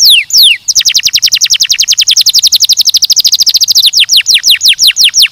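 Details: Canary singing a few high descending sweeps, then a fast, even trill of rapid notes lasting about three seconds, ending in slower, repeated downward-slurred whistles.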